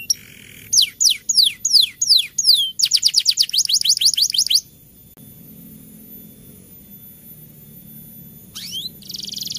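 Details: Canary singing, used to prompt lazy birds to sing during the rainy season: sharp downslurred whistles followed by a rapid rolled trill, then near silence with a faint rising note near the end.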